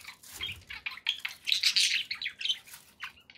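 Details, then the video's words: Pet budgerigars give a short burst of high squeaky chirps and warbled notes, heard over a soft low background rumble. "relaxing budgie sounds"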